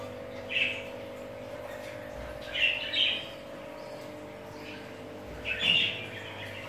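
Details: Pet budgerigars giving brief squeaky chirps in three bursts a couple of seconds apart, set against a steady low electrical hum.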